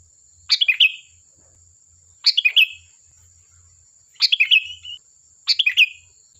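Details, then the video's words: Sooty-headed bulbul in full song, played to lure other bulbuls to respond: four bright bubbling bursts of three or four fast notes, spaced one to two seconds apart, against a steady faint high whine. "Suara burung Kutilang Gacor || Ampuh untuk pancingan, dijamin nyaut"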